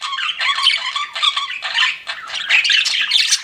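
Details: Pet budgies chirp and warble in flirting chatter, a continuous run of rasping, squeaky and slightly nasal notes that rise and fall in loudness.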